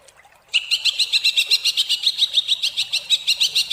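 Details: Rapid, sharp 'tembakan' phrase from a greater green leafbird with a harsh, varied voice: after a faint start, a clipped high note is repeated about four times a second, each with a quick bent twist.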